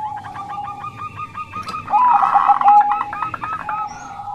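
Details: Bangkok zebra dove in lively song, a fast train of clipped cooing notes with a louder, blurred burst of overlapping calls in the middle.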